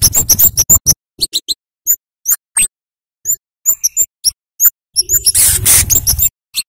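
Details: Flowerpecker lure recording of sharp chirps to make young birds sing: scattered, piercing high tsip notes in irregular clusters, with a rough noise burst toward the end.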